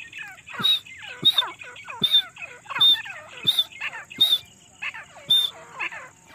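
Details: Female grey partridge in jungle giving a non-stop call used as a hunting lure: sharp, ringing notes repeated steadily, roughly one every half to three-quarters of a second, with a steady high hiss behind.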